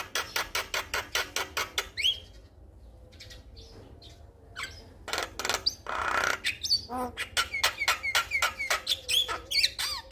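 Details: Vigorous male Javan myna calling for a female: rapid harsh rasping bursts, several a second, mixed with short whistled upslurs and a brief pause midway, over steady low hum.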